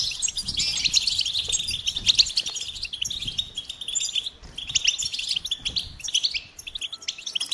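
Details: Rapid, bubbling goldfinch song: a steady flow of high twitters, buzzy trills and chirps with only short breaks.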